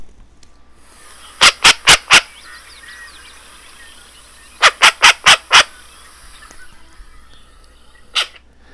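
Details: Short-eared Owl alarm call, the kind given when very near its nest: a quick run of four harsh, raspy barks, a pause, then five more and one last bark. The background is quiet.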